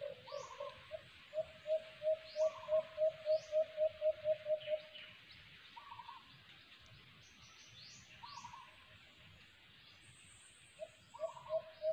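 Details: A White-eared Brown Dove, recorded during a first cage-trap hunting attempt, gives a quick run of about a dozen low, hollow hoots, three or four a second, as other birds call faintly in the background.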